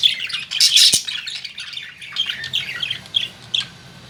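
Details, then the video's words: Caged lovebirds at home, including a blue one, giving shrill, high chirps and squawky chatter: a dense loud burst early on, then scattered shorter chirp clusters, with one sharp click near the start. "Lovebirds Humming Sound , Love Birds Chirping, Love Birds Making Sounds , Love Birds in Cage At Home"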